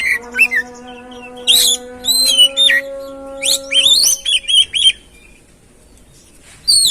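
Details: Oriental magpie-robin (kacer) song used to stimulate another bird to sing: bright whistled notes sweeping down from high pitch, in bursts with pauses, with a steady low humming tone beneath for the first four seconds.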